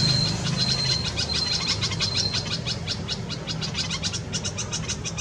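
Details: Red-vented bulbul tending chicks in a nest within a Karaunda bush in a Delhi garden, India, May 2020, hot summer; a brief thin high tone, then a busy string of short high chirps, under a low hum.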